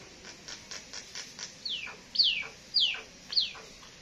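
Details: Two mynas, labelled as talking pied or jungle mynas, give a quick run of six short, dry chips, then four loud whistled notes that slide downward, about half a second apart.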